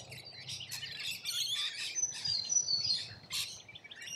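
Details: Rainbow lorikeets feeding in Australia, a flock giving shrill, harsh screeches and high chattering notes in dense overlapping bursts, with a few thin whistled streaks in the middle.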